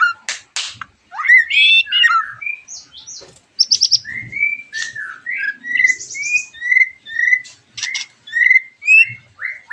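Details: White-rumped shama singing as a lure for other shamas: sharp clicks and upswept notes, a buzzy burst, then a long sequence of clear rising whistles repeated about once a second, interwoven with higher chips.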